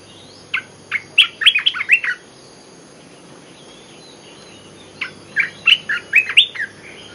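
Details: Olive-winged bulbul lure song: two rapid, bubbling phrases of seven to eight chirpy notes each, separated by a quiet gap of nearly three seconds.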